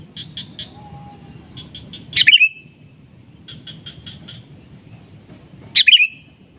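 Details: Sooty-headed bulbul calling to a rival that answers: rows of three to four short, clipped notes, each followed by a loud, bright burst of rapid chirps, twice in succession, with a faint low background.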